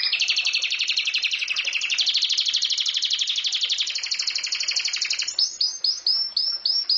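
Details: Canary in full song: a long, loud, dense rolling trill lasting five seconds, followed by a few slower high notes with downward sweeps.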